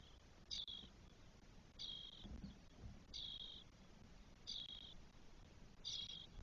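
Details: Four Spotless starling chicks, day twelve in the nest, Spain, 1 June 2022, repeating short buzzy hisses with a sharp onset about every 1.3 seconds; five calls and a soft low thump midway.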